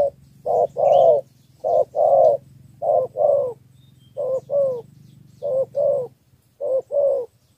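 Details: Spotted dove from Cà Mau, Vietnam, in a three-note 'thổ' cooing style used as a lure for wild doves: low hoarse coos in short-long pairs, about six pairs at steady spacing, faint distant chirps behind.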